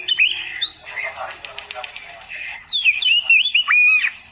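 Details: Masteran song of an oriental magpie-robin for beginners: a harsh rapid rattle and scratchy chatter give way to bright, fluting whistled phrases with rising and falling slurs toward the end.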